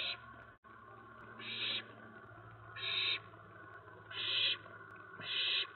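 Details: Owlets at night, 10 September 2017, as adults deliver mice and the young pounce on food, giving four rasping hiss bursts roughly a second apart over a soft low hum.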